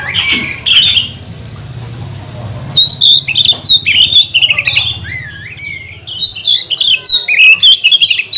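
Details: Oriental magpie-robin (kacer) song used as a lure to provoke other magpie-robins into singing, tail-spreading and agitation: bursts of high squeaky chirps, then loud varied whistles and slurred rising notes in rapid, fast-paced phrases.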